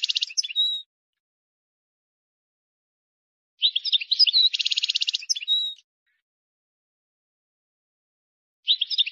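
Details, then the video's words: Twittering phrases of a wild European goldfinch, each containing a harsh, nasal buzzing trill followed by a short whistle. The phrases repeat at intervals of several seconds. This error-free song is used to tutor chicks. "غناء حسون بري خالي من الاخطاء لتسميع الفراخ"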